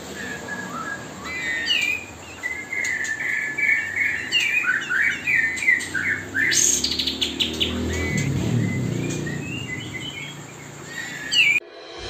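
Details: Spotted magpie-robin song used nonstop day and night as mastering for young birds while fledglings are fed; a lively twelve-second stream of varied whistles, trills and sharp chirps, with soft low rustling in the background.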